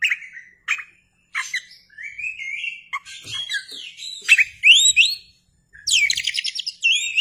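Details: Kept Oriental magpie-robin performing with its tail opened: sweet whistled notes, quick rising slurs and scratchy chatter delivered in busy bursts, ending in a dense buzzy trill and clear whistles.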